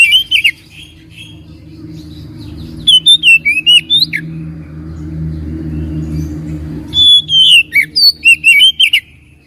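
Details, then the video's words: Magpie-robin lure song meant to make a lazy bird respond: three bursts of rich whistled phrases and sharp chirps separated by several seconds of low humming background. "PANCINGAN BURUNG KACER MALAS BUNYI DIJAMIN NYAUT"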